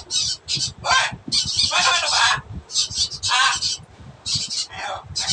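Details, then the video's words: Noisy blue-and-yellow macaw giving harsh, broad raspy squawks in repeated bursts under a second long, with low background murmuring throughout. "NOISY BLUE AND GOLD MACAW"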